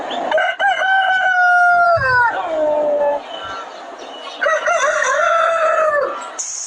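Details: Chicken-farm roosters crow twice. The first crow holds a level note, then slides down in stepped falls; the second crow wavers and then drops at its end. Faint clucking can be heard between them.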